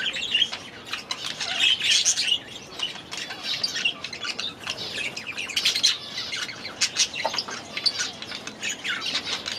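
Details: Grown young budgerigars in their first days in a new aviary; steady flock chatter of chirps, warbles and short squawks with clicking notes.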